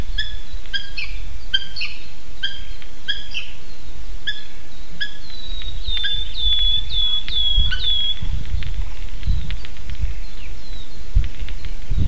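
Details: Two adult Eurasian hobbies at the nest, Slītere National Park, Latvia, 3 June 2021, 9:06 am, recorded by a live nest camera. Spaced sharp notes give way to a quick run of thin, falling whistled calls, then fade into low rumble.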